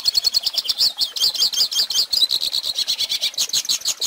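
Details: Singing Hooded Siskin for tutoring young birds: quick, high chirping with pulsed, rolling trills, notes coming in rapid beats, then a run of evenly spaced twittered syllables.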